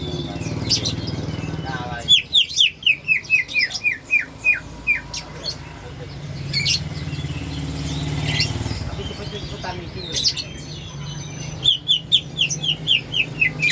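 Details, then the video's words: Greater green leafbird making a strange call: quick bursts of clear, descending whistled notes repeated about four per second, two long runs separated by a quieter gap, over a steady low hum of passing motorcycles and traffic. "cucak hijau bersuara aneh"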